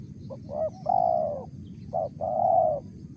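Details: Wild spotted dove (tekukur) in the voice style called mersik: a short low coo followed by a long, steady, slightly arched coo, the pair repeated twice over a low background rumble.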